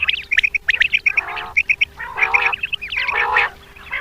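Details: Common quail call sounds used for hunting: short sharp notes in quick groups of three, repeated several times, mixed with nasal, harmonic-rich bursts and a steady low hum throughout.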